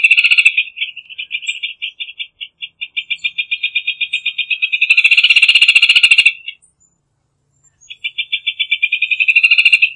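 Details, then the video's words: Rufous hornero delivering long, fast series of sharp repeated notes, loudening into a dense burst, a brief silence, then another accelerating series. "Hornero Canto - Rufous Hornero Bird Song"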